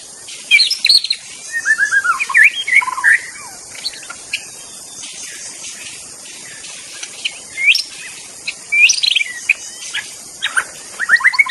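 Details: Wild magpie-robin singing in forest: loud varied whistled phrases, slurred and rising notes in short bursts with pauses, over a steady high insect hum.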